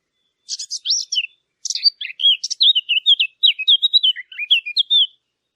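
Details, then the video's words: Bright bird twittering: several rasping notes at first, then a rapid chain of short, clear whistled chirps rising and falling, about four seconds long. "نصف ساعة من صوت العصافير الجميل ، Yarım saat kuş cıvıltısı ، Half an hour of birds chirping"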